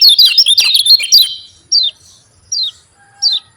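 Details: Javan white-eye song played as a lure for lazy white-eyes: an opening second of rapid, tumbling high twitter, then three isolated downward-slurred chirps spaced under a second apart in near silence.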